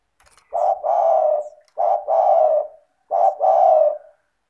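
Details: Spotted dove in full voice, played to prompt lazy doves to call: three coo phrases, each a short note followed by a longer, steady, mellow hoot, repeated about every one and a half seconds in a quiet setting.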